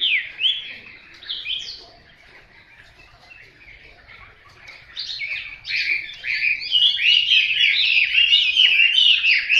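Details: Hwamei song opening with a few scattered whistled notes, a quiet stretch, then a dense, loud burst of rapid, varied warbled phrases building to the end.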